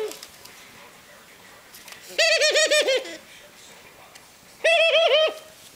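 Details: A 19-year-old pet ringneck dove, pecking, giggling and bowing indoors, gives two bursts of about six quick, stuttering, nasal notes, each burst lasting under a second, with quiet room sound between.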